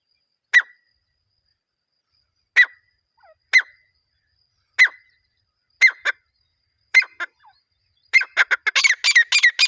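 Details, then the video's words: Teetar, a partridge, calling in a recording meant to attract partridges for hunting: single sharp, clipped notes spaced one to two seconds apart, then a fast chattering run of harsh notes at the end. "Acha Teetar Viral Voice"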